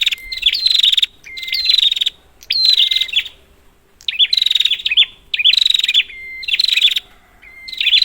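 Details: Prinia calls used as a lure to coax silent prinias into singing: loud high bursts of rapid pulsed chatter with hooked notes, separated by a thin steady whistle, repeating roughly every second and a half, nothing else heard.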